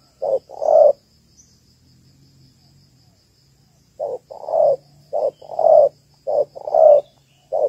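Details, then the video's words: Spotted dove hen, Malaysian type, calling to excite males for ground trapping; one short-long pair of soft hollow coos, a three-second gap, then three quick pairs and a final clipped note, with a faint high whine behind. "Cu gáy / cu gáy malaisia đấu cực sung/tekukur chim cu gáy đâu cực hay"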